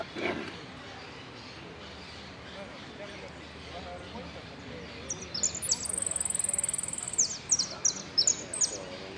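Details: Saffron finch in El Cristalino song, with prio, golpe and pitadas. After several seconds of background voices, very high piercing notes arrive, then a sustained rapid trill, then separate sharp whistled chirps.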